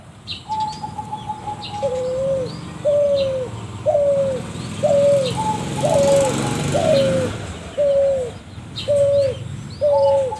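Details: Spotted dove's strange-sounding lure call: a steady string of low, hollow coos roughly every second, a few starting with a higher level whistled tone. The coos play over a broad background rumble and hiss, with faint chirps from other birds.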